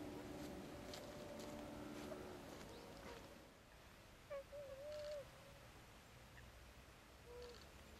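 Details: Tundra swans, a flock of about twenty, at a swan wintering site in Saitama Prefecture, Japan. Faint, nasal, hooting calls with harmonics come in the first seconds. A clearer wavering honk follows near the middle, then a short later note, over steady background rumble.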